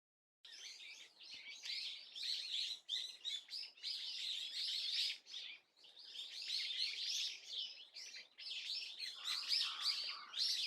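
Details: Swallow calling on 30 April 2024: a dense, continuous twitter of high, quick chirps and short warbled notes, coming in bursts separated by brief pauses, with several voices seeming to overlap.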